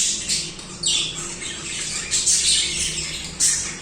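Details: A flock of budgies chattering nonstop, high rasping chirps with a sliding whistled note early on and sharp squawks rising out of the din.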